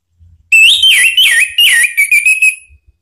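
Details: Orange-headed thrush song used as a provocation lure: a continuous flow of loud, wavering whistles with bouncy rises and falls, lasting about two seconds. A faint low thump is audible at the edges.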